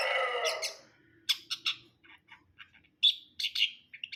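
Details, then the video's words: Long-tailed shrike in brundol style singing a varied series of short scratchy chips and squawky notes, some clipped and some descending, after a brief loud harsh opening phrase. "KICAUAN CENDET BRUNDOL"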